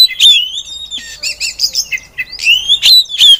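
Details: Female oriental magpie-robin singing to lure other magpie-robins into song: long sliding whistles, short harsh chattering notes in the middle, then bright rising whistles returning near the end.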